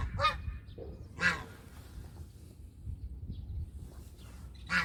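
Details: Domestic goose calling with three strong harsh honks and a softer shorter one, spaced unevenly over a few seconds above low background hum.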